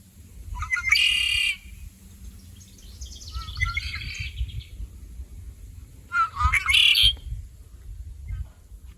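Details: Red-winged blackbird (Agelaius phoeniceus) song, found across Canada: three gurgling 'conk-a-ree' phrases, each short notes ending in a rough buzzy trill, about every three seconds, over a low room rumble.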